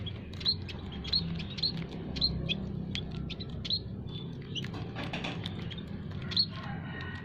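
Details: Munias calling in an aviary, used as a lure for trapping. A burst of high, clipped chirps about every half second early on is followed by sparser, fainter notes over a low hum.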